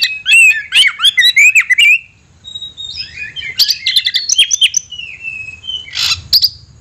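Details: Oriental magpie-robin, a caged songbird, pouring out rapid whistled phrases and chips, a short pause, then a second burst of varied notes ending in a harsh rasp.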